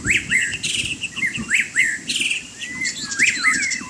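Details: Loud white-rumped shama song while bathing in rain: repeated upswept whistles mixed with rasping chirps and a looping whistled phrase, with rain patter and a steady hiss.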